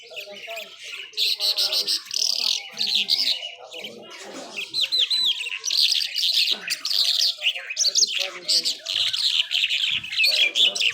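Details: Skylark of the Irani Mashadi jhal type singing continuously: a long, varied stream of high warbling, buzzy trills and slurred whistles, barely pausing, with soft low background sounds throughout.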